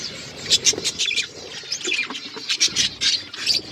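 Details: Several pet budgerigars, kept as caged birds, chirp while eating seeds; dense overlapping high squawky chirps and short scratchy notes in quick irregular bursts, with soft pattering and rustling beneath.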